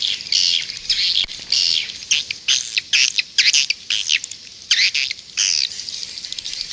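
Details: Edible-nest swiftlet lure recording from Indonesia, played outside a nest house to attract swiftlets: loud, buzzy, high chirping twitters in irregular bursts, overlapping and continuous for several seconds.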